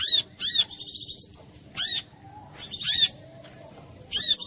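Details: Brown-throated sunbird (kolibri kelapa) lure song meant to prompt other sunbirds to sing: sharp arched high notes in quick pairs, alternating with thin buzzy trills, phrases separated by short silences.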